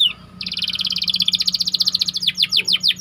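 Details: Canary training song with a long tight rolling trill of pulsed notes that changes pitch midway, then breaks into a slower series of downward-sweeping chirps; a low steady hum lies beneath.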